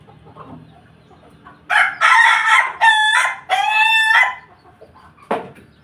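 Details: Chicken crowing, one bird from a collection of pelung, Bangkok and ketawa chickens: a loud, harsh crow broken into three or four strident segments over about two and a half seconds, then a short separate squawk; faint background noise.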